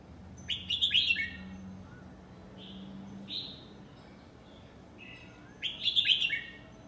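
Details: 'Lak wai' style song from a nine-month-old red-whiskered bulbul: loud, bubbling phrases of sharp and slurred whistles opening and closing the passage, with softer single whistled notes between, against a quiet low hum.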